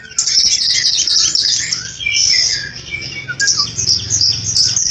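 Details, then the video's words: Flycatcher in full song: a continuous, dense stream of very high, rapid chattering and warbled notes, scratchy and twittering, with a few lower slurred whistles and a soft low background hum. "Tledekan Gunung Gacor (Flycatcher Bird)"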